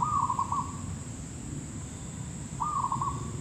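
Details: Two quick trilling coo phrases from a zebra dove, known locally as perkutut lokal or merbuk kampung, during a trapping outing; each phrase a run of fast pulsed notes, against low background rumble and a steady high whine.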